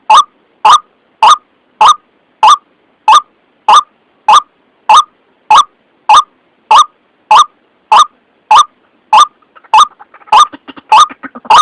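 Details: Long steady run of rasping white-breasted waterhen lure calls for trapping, nearly twenty loud croaks at a regular pace, with a faint scratchy rattle creeping in near the end.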